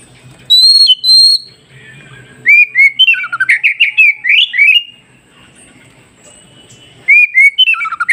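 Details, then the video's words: An Oriental magpie-robin song played to prompt newly caught wild magpie-robins to answer: two loud, clear whistles, then after a short pause a quick run of varied, rich warbling phrases. "Dengarkan KACER ini Agar Kacer hutan Baru Dapat Cepat nyaut"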